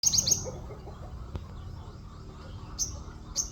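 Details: Orange-spotted bulbul singing a song filled with white-eye-like 'wit wit' notes: a quick burst of high thin chirps at the start, then single sharp high tweets near the end over a low steady background hum.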